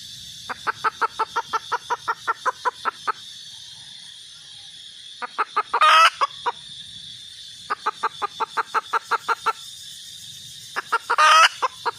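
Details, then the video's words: Two bouts of rapid, rhythmic clucking from a red junglefowl hen, each closing with a loud harsh squawk, separated by a quiet gap of about two seconds. "suab poj qaib tsauj zoo heev"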